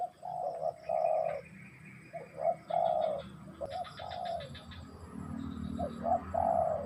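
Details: Spotted dove song of repeated low, hollow coos, short notes leading into longer sustained ones, several phrases in a row, with faint chirping of small birds in the background.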